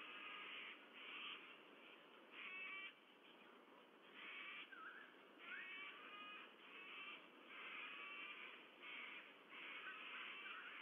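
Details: Two White-bellied Sea Eagle chicks at a nest monitored by camera in Sydney Olympic Park, Australia, on 14 September 2022, waiting to be fed. Harsh, harmonic, wavering begging calls come in bursts roughly every second over steady background hiss.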